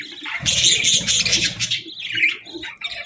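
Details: Budgerigars in the morning: a dense burst of bright, scratchy chirps and warbles fades into softer, scattered twitters, with a low rumbling thud beneath the opening second.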